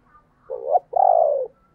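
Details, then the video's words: Spotted dove coo from 2022, styled thúc and gáy gọi: a brief upward-swelling note, then a long level coo with a slight tremble that drifts lower and fades, over a soft low rumble. "tiếng cu gáy/ thúc + gáy gọi mới nhất 2022"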